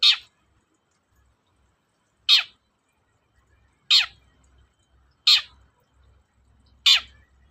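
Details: Long-tailed shrike lure for reluctant singers: single harsh, downslurred squawks repeated every one to two seconds, five in total, with faint low rumbling between.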